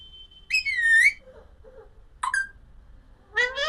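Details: Alexandrine parakeet giving a drawn-out wavering squawk, then a short sharp note and a rising harmonic call. Soft low chatter and faint room noise sit beneath.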